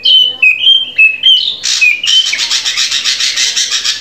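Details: Drongo song for training captive birds to sing: several clear whistled notes falling and rising, a harsh burst, then a sustained rapid rattling chatter.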